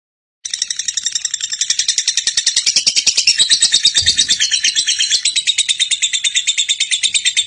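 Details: Lovebird giving a long, fast chattering trill of harsh rapid notes, pulsing about twice a second and holding steady for several seconds after a sudden start, used to prompt young birds to sing long trills.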